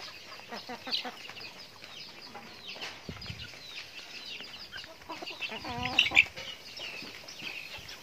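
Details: Chickens eating feed, giving scattered short clucks and squawky notes, with a burst of harmonic, slightly wavering calls near the end over a constant background of flock chatter.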